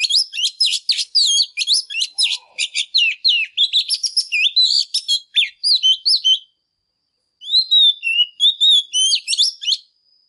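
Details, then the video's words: Intense song of a female Oriental magpie-robin, used to rouse males into singing: a long, unbroken stream of rapid high chirps, rattles and slurred whistles, a short break, then a further phrase of sweeping whistles and chirps. "Chòe than mái kích trống HÓT CĂNG"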